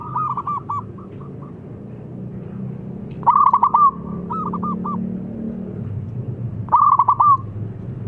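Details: Local zebra dove calling loudly, a call meant to provoke replies: short bursts of rapid low cooing notes, three phrases of quick stuttered coos with pauses between, over a steady low background hum.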